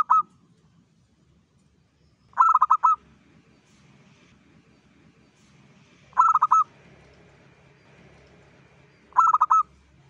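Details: Local zebra dove sounding off at dawn, a lure song: short loud clusters of rapid staccato coos repeated about every three to four seconds over a quiet low background.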